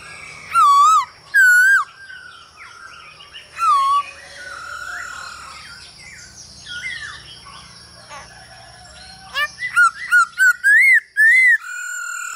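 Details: A male hwamei sings with a female calling, a recording meant to train birds to sing. Rich fluting whistles open the passage, then a softer stretch of harsh, overlapping notes, ending in a rapid run of bright rising-falling whistles.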